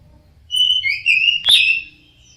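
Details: Orange-headed thrush with a single drawn-out whistled phrase of gliding tones, interrupted by a brief sharp click.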